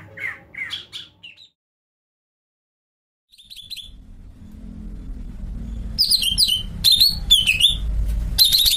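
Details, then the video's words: Some opening chirps from a greater green leafbird, then a silent gap and rising background rumble, followed by loud, rapid whistled phrases that swoop downward, each repeated in a quick burst. "Cucak ijo melet"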